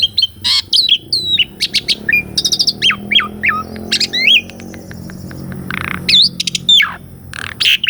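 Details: Varied song of an Asian pied starling, used as training song for a caged bird gone quiet, recorded on a Sony A6400: clear slurred whistles, hoarse buzzy notes and clicking chips in quick, irregular succession.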